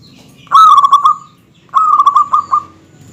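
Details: Zebra dove, local perkutut, with a dense song meant to anger rivals: two phrases of quick pulsing coos, each trailing off into a sustained note, about a second apart.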